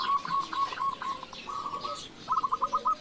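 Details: Local zebra dove singing actively, used as a lure to stir other doves: short runs of rapid staccato coos at medium pitch, three phrases in quick succession, faint overlapping bird chatter above.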